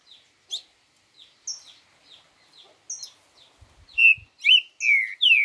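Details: Four-note 'boi' song of the green-winged saltator (trinca-ferro): scattered high tweets, then a bold series of four loud, slurred whistles, each slightly falling, about half a second apart. A few faint low knocks are heard.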